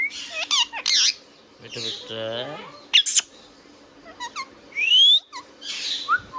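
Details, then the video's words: Indian ringneck parrot kept as a pet producing screechy squawks, a buzzy drawn-out harmonic phrase, sharp clicks and a clear rising whistle. "Ringneck Parrot Talking Sound video | Indian Ringneck parrot natural sound"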